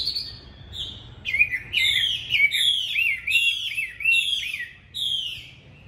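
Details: Chinese hwamei in a cage in Hanoi singing a string of loud, clear whistled notes that slur downward with bright, buzzy overtones, repeated about every half second after a softer opening note.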